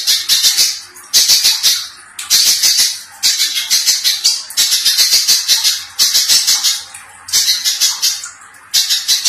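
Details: Little spiderhunter singing loudly in a harsh, dense style, used to train other songbirds. It repeats clusters of grating, buzzy high notes in bursts of one to two seconds, separated by brief gaps.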